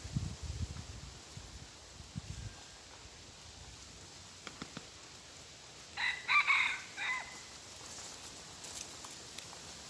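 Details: Red junglefowl crowing during decoy hunting of wild junglefowl on 23 February 2022; after quiet rustling and low thumps, a single harsh, multi-part crow rises about six seconds in, then faint background hiss.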